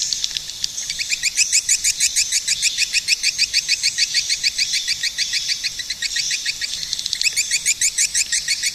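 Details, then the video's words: Swiftlet call: rapid, regular series of short, sharp high chirps, about three per second, running almost unbroken after a brief twittery start. "suara burung walet"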